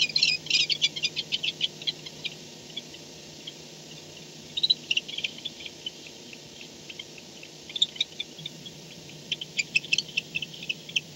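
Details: Barn owl arriving back at the nest at 4:38 am on 2-10-16, recorded by a nest camera; high, clicky chattering bursts come in scattered runs with quiet gaps, above a constant low electrical hum.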